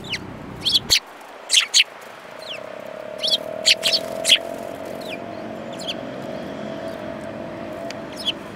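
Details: Several sparrows, among them a yellow-beaked bird, on 5 February 2018: a quick burst of loud, bright chirps in the first four seconds, then sparser single chirps over a low steady hum.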